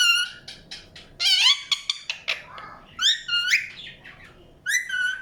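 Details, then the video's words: Indian ringneck parakeet chirping, with harsh rasping squawks and sliding whistled notes in uneven bursts and a few short gaps. "PARROT CHIRPING SOUNDS | NATURAL SOUNDS PARROT CHIRPING"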